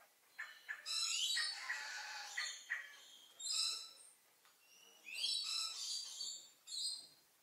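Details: A monogamous pair of Purple-naped Lories quarrelling, probably over access to the nest cavity, trying to bite each other but not aiming to hurt. Harsh, grating screeches come in ragged bursts of about a second, with short sharp squawks between.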